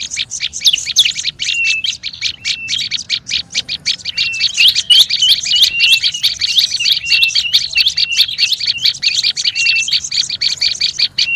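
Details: Lure recording of a noisy olive-backed tailorbird: sharp scratchy notes at about three per second, with short flat whistles and rising-falling twisted notes woven through a nonstop chatter.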